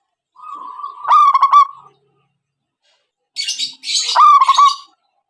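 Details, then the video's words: Zebra dove lure call for trapping: a held note breaking into a quick rolling trill of coos, a pause, a hissy rustle, then another held note and rolling trill. "Suara Asli Pancingan_Pikat Perkutut"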